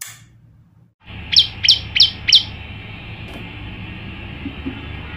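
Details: Energetic song of a male olive-backed tailorbird, a kept bird eventually released into the wild: after a quiet start, four piercing downslurred notes come in quick, even succession about 0.3 seconds apart, then a steady high hiss continues.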